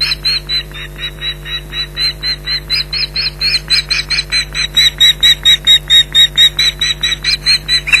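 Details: Female osprey at Loch Garten, Scotland, defending her nest and young from an intruder on 15 July 2011: long, insistent run of piercing whistled yelps, roughly two per second, a thin higher overtone on each note, constant low electrical hum.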